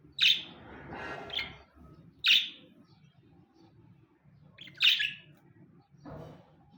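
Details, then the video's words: Pet budgerigars, a pair kept at home, giving sharp high chirps in three loud bursts about two to two and a half seconds apart, with faint low room hum between calls. "Coco And Moco The Budgies"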